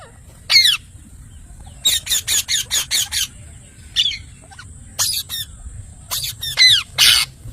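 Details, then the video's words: Parrot producing clusters of rapid, grating squawks, one quick run of five or six notes, then scattered pairs of harsh calls, over a steady high background hiss. "parrot natural sound mithu"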